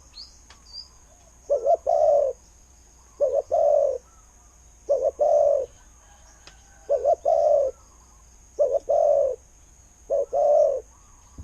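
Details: Decoy spotted dove with a good voice, cooing steadily through six phrases, each a quick doubled note then a longer low coo, evenly repeated about every one and a half to two seconds.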